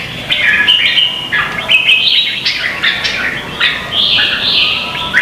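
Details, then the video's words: Lure song of red-whiskered bulbuls in a Vietnamese singing contest. Continuous chattering warble of jumpy whistled notes, shifting between lower and higher pitches without clear pauses, ending on a drawn-out high note. "Chào mào hót đấu hay nhất việt nam"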